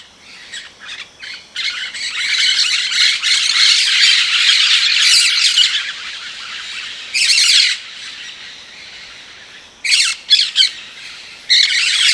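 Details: Rose-headed parakeet calls: a long, dense run of harsh, rasping squawks for several seconds, then separate loud screechy bursts spaced out with quieter chatter between.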